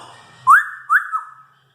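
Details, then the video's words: Pet Congo African grey parrot, four years old, whistling: two quick rising whistled notes, then a gently falling tone that fades out, clean and without background noise. "An African Grey Parrot Cherry | Talking Parrot"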